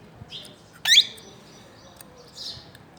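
A plum-headed parakeet gives one loud, shrill, rising squeal, framed by fainter high chirps before and after in a quiet room.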